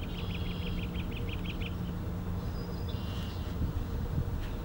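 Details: American robin (Turdus migratorius) call, recorded 12 June 2020: a quick run of about ten sharp, even notes in just over a second, then a thin higher note, over a steady low rumble.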